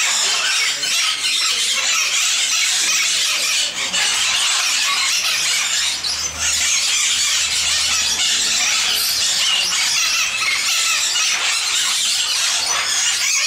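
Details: Captive sun conures at Bošovice Zoo, Czech Republic, keep up an almost unbroken din of piercing, raspy shrieks, dipping only briefly near the middle.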